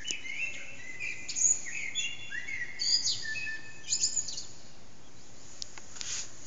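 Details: Eurasian blackbird in early-morning song around 4:30am in a reverberant backyard, bird unseen, phone recording: low fluty warbles alternating with high squeaky twitters across several phrases, a few faint clicks near the end.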